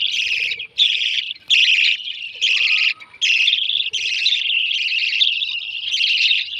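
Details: Baby lovebird chicks begging while being fed: a continuous loud high raspy chattering in long bursts with brief gaps, nearly unbroken through the clip, with faint lower sounds in the background.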